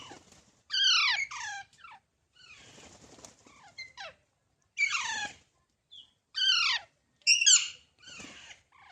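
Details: Young parrots repeating rough, descending squawks, often in quick pairs, with softer breathy calls and quiet pauses between bursts.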